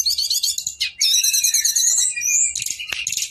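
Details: Brown-chested jungle flycatcher, a male, delivering a long 'ngeroll' rolling song of very high, rapid, rattling trills and thin whistles strung together almost without a break, one short gap partway through.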